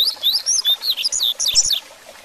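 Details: A Double-collared Seedeater sings a grego-style tutor song for training young birds: a fast, unbroken run of high, sweet warbled and slurred notes, rising and falling for nearly two seconds before stopping.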